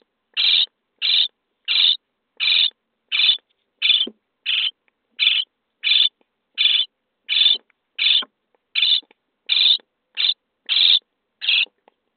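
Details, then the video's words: Nestling common starlings begging inside a nest box at feeding time, day 23: a long, steady series of about seventeen short, scratchy hisses, each spaced about two-thirds of a second apart. "Szpaki w budce dzień 23 - karmienie piskląt"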